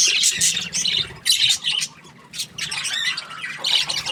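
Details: Happy budgie letting out separate bursts of high, harsh squawks and chirps about every half second, with a quieter lull near two seconds before the bursts return.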